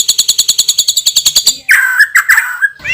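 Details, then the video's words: White-rumped shama song, loud: a fast regular rattle of repeated notes, then lower slurred whistles and a rising note. "MURAI BATU juara isian super PEDAS_suara lantang dan keras"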